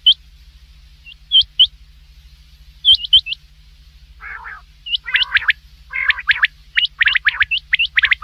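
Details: Night calling of common quail, used as a hunting sound in Pakistan: sharp high triple notes at first sparse, then packed into fast repeated bursts with a few rough buzzy notes, over a constant low hum.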